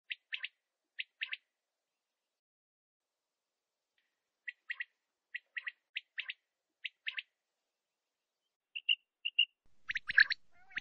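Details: Male quail (batair) calling: short paired and tripled chirps repeated in bursts, a pause, then more groups, ending with a louder harsh burst and noise.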